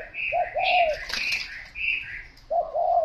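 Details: Spotted dove giving low, soft two-note coos that dip at the end, one phrase early and another near the close, while a higher-pitched songbird chatters between them.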